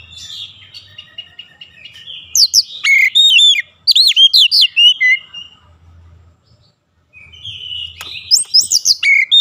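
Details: Oriental magpie-robin trained daily for a long rolling song: bright sweeping whistles and sharp high notes in a dense burst, a silent gap of several seconds, then another fast flurry.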